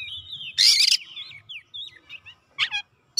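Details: Oriental magpie-robin (kacer) in full song seeking an opponent; a loud harsh burst opens, followed by short whistled slurs and a few scratchy notes with pauses.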